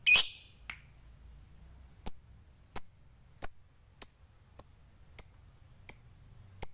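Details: Harsh opening squawk from a fighter lovebird, then a steady series of short, sharp, very high chips roughly every half second, the bird used to provoke rivals.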